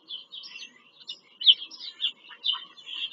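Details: Shrill, fast twittering from bald eagles during a nest visit in Pennsylvania farm country, 5 February 2023. Several quick high notes are run together with sharp peaks.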